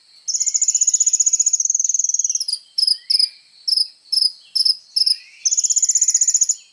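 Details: Sunbird singing actively as training material for songbirds: a long fast high trill, then spaced sharp chirps, then another rapid trill.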